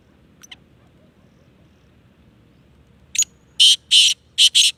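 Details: Sindhi black francolin (Kala Tetar) calling: after a faint early note and silence, one harsh five-note phrase. A short grating note, two longer rasping notes, then a quick closing pair, all high and buzzy, over a quiet background.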